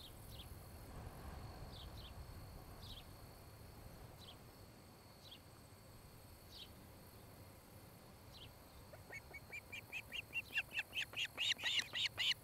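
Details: Nest-camera recording of an osprey pair at their nest in Charlo, Montana, 26 July 2018, late afternoon: faint, scattered, downslurred chirps, then a rapid series of loud, sharp whistled chirps that builds in volume over the last three seconds.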